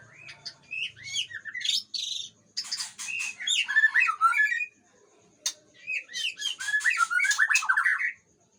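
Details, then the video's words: Aceh-type white-rumped shama in song, alternating rising whistled slurs with bursts of rough chatter, broken by pauses of a second or more. "Murai Aceh"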